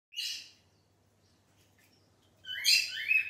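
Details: Cockatiel calling: a short harsh screech, a silent gap, then a longer louder rising-and-falling shriek with a faint low hum underneath.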